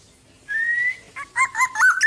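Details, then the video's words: Tame black-naped oriole kept uncaged, singing eagerly: a long, slightly rising clear whistle, then a quick run of short fluty, warbled notes. Faint low background hum throughout. "BURUNG KEPODANG TANPA SANGKAR GACOR DAN JINAK"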